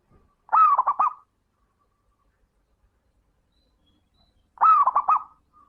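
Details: Two matching phrases about four seconds apart from a local zebra dove, or perkutut, played to coax silent doves into singing: each is a bright rising coo broken into three fast bubbling beats, with silence between.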